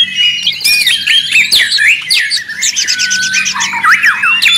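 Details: Noisy White-rumped shama singing for training other birds: rapid rattling series, looping whistled slurs and scratchy chatter overlap continuously, with a high steady whistle near the end.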